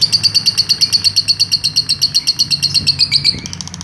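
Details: A lovebird in its long ngekek trill, meant as a master for training birds: crisp, evenly spaced high chirps about three per second, ending with a softer fading stretch over a low hum.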